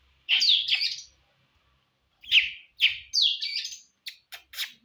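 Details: Contest-style Oriental magpie-robin singing meant to make another bird fight-ready. Rich warbled whistles open the passage, followed after a pause by separated bursts of bright, twisting notes and a few short sharp chips.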